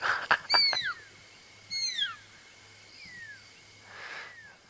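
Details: Pearl-spotted Owlet calls at sunset in wild Africa, birds answering each other to hold territory or attract a mate. Brief knocks, then three or four clear whistles sliding downward, spaced about a second apart and fading.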